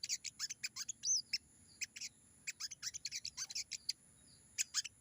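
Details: Crimson sunbird in the wild 'ngalas' song style. Clusters of high, sharp chattering notes are separated by short pauses, with a wavering whistled slur near the start.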